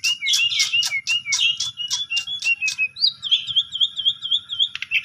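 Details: Asian pied starling song used as a lure to provoke a silent starling into singing: rapid chattering notes, then a wavering whistled run near the end, with a faint low hum beneath.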